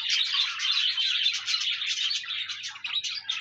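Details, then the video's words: Short burst of budgerigar chatter aimed at getting a lonely pet budgie to sing: rapid, tightly packed tweets and scratchy trills, loud and continuous before easing slightly at the end. "No more lonely budgies. Pet parakeets encourage your bird to sing"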